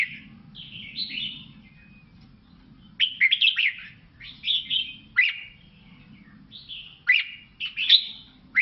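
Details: Lao red-whiskered bulbul song: short, sweet, bubbling phrases of slurred whistles and sharp chirps, each burst lasting about a second and separated by brief gaps, with a quiet low hum beneath.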